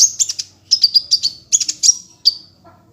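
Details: Sunbird song recorded as training material for other songbirds, in the lively ngunci style: clusters of very high, thin chips and short descending twitters, delivered in quick groups of three or four notes with brief pauses between.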